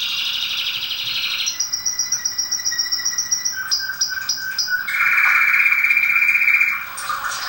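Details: Song of a domestic canary, played to teach and warm up other canaries: a high rolling tour, a run of sharp clipped notes about four per second, then a loud, lower sustained trill.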